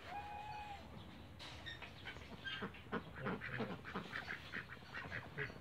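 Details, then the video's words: Cayuga ducks kept in a backyard; a rapid series of rough quacks from several birds over steady background noise, with a thin whistled tone at the start. "CAYUGA DUCKS BACKYARDS"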